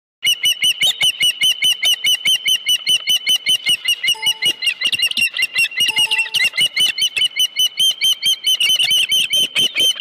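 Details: Osprey at the Dunrovin Ranch nest with a live fish, 25 July 2018, 5:23 PM: a steady run of sharp, high whistled chirps repeated about two or three times a second, continuing without pause for the whole stretch.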